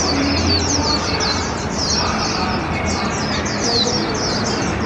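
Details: Caged, hand-reared warbling white-eye, 20 months old, singing during its first park outing of 2021 beside an open-air puppet opera. Dense, fast, high-pitched warbling runs throughout, set against a constant rumble of music, voices and traffic.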